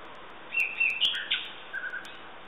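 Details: A nightingale delivers a string of sharp whistled and slurred notes, fading into softer lower warbles toward the end, with steady background noise throughout.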